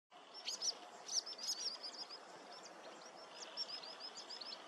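A wood sandpiper gives sharp, high whistled notes, then a quick run of thin, chattering notes, over a steady hiss of background noise.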